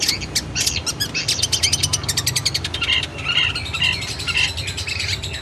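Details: Long-tailed shrike training song: a fast series of sharp chips and buzzy rattles about twice a second, then harsher scratchy notes toward the end, over a low hum.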